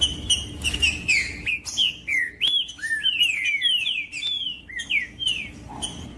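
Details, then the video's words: Captive green-winged saltator song used to stimulate other caged birds for breeders' tournaments: a rapid sequence of bright, downward-slurred whistles, some rising, delivered in bursts with brief gaps over a faint constant hum. "MELHOR VÍDEO PARA ESQUENTAR TRINCA FERRO COM TRINCA FERRO CANTANDO"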